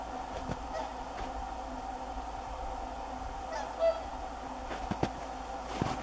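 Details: Whooper swan giving a single short, loud honking note near the four-second mark, set against a steady droning background with a few faint clicks and knocks.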